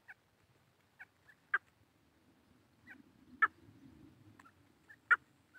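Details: Grey francolin in the grasslands of Velavadar National Park, India. Short, sharp mid-pitched notes repeat at uneven gaps of one to two seconds, some louder than others, over a soft low murmur.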